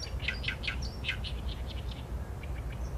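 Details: Acrocephalus orientalis, the Oriental reed warbler, in song, picked up by a Sony A7M3 camera. Loud rasping croaks come in quick succession, then softer chirps trail off, with a constant low background hum.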